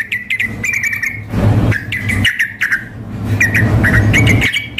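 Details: Female sooty-headed bulbul calling a male, combined with a male singing hard in a contest simulation; short chattering phrases and a sustained whistled note, interrupted by loud rushing noise bursts over a constant low hum.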